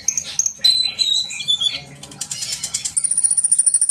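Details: Sunbird singing, played to encourage young birds to sing: thin piercing whistled notes, a buzzy twittering passage, then a long, very high sustained whistle over rapid ticking chirps.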